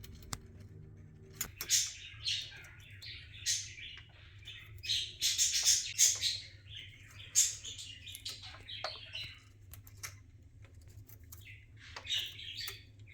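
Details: A female pet budgerigar, lively on a sunny morning after chewing hanging carrot pieces, gives a string of scratchy chirps and warbles over a low steady hum.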